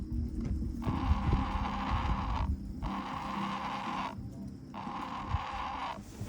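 A heron gives a harsh, raspy, bleating call in three drawn-out bursts about every two seconds, over a low background rumble.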